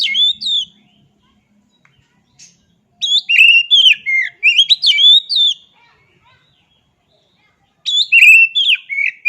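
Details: Oriental magpie-robin song arriving in separated bursts of rapid, varied whistles and clipped chirps, each lasting one to two seconds, with quiet gaps between.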